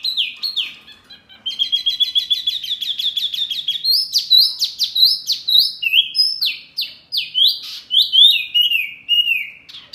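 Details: Mini wambi bird calling loudly, said to provoke other birds: a brief pause, then a rapid stuttering trill of high notes followed by varied downward-sweeping whistles in quick succession.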